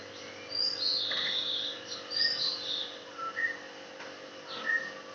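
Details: Bulbul, either a trucuk (yellow-vented bulbul) or a cucak jenggot, sings a run of high sweet whistles followed by lower, clearer notes at varied pitch, spaced unevenly over about five seconds, against a constant background hum.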